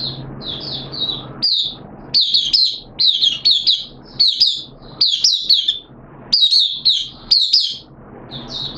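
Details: Caged oriental white-eye (Mata Puteh) in 'buka sing' song on the second day of a monthly deworming treatment, 13 September 2022: rapid bursts of high, thin chirps and slurred twitters, pausing briefly between phrases, over a faint low hum.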